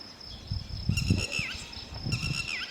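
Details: Lapwing guarding its young: two short, harsh, ringing calls, each ending in a rising twist, over low rumbling noise and a faint steady high tone.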